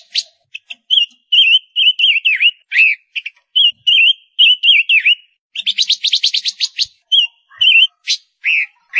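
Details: A female silver-eared mesia, a lure bird, sings quick, wavering whistled notes in steady runs, broken once by a fast rattling burst; nothing else is heard.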